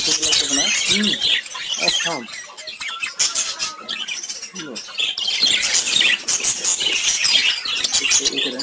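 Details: Several colorful lovebirds chirping together: dense, shrill, overlapping chatter and squeaks, nearly continuous, with brief lulls. Some lower voice-like sounds are mixed in.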